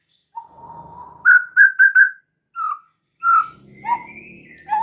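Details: White-rumped shama song used as a lure to prompt a shama to sing its full repertoire: a long low whistle, then a run of four bright repeated notes, a short note, and varied whistled and rising phrases.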